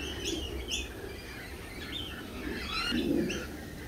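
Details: Lorikeets at a feeding cafe, short screechy chirps and squawks overlapping in a busy flock, with steady background noise of a crowded venue.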